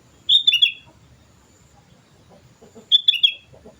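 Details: Sooty-headed bulbul singing actively, giving two short bubbly phrases of bright whistled notes about two and a half seconds apart, with soft low background noise between them.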